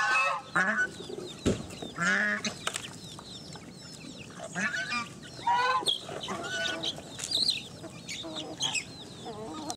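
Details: Geese attacking a wild boar honk and cackle in loud, overlapping bursts of harsh, nasal calls.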